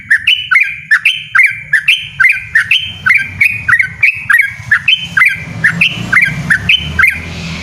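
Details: Persistent, loud yellow-vented bulbul 'ropel ngotot' song, a chain of sharp dipping chirps repeating evenly, with a low droning noise rising toward the end.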